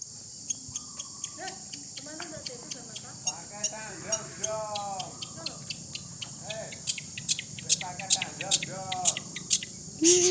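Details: Long-tailed shrike in Indonesia, in breeding condition, during an afternoon practice session: a varied run of chattering, arched harmonic notes and sharp high ticks. Music starts right at the end.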